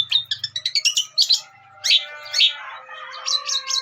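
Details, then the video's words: Cendet, the long-tailed shrike, delivering mimicked song phrases for songbird training: fast stuttering high chirps, then louder harsh squealed notes with lingering tonal overtones, over a soft low hum. "Masteran Burung Cendet Isian Gereja Pethir Sambung Armagendon dan Kuntilanak"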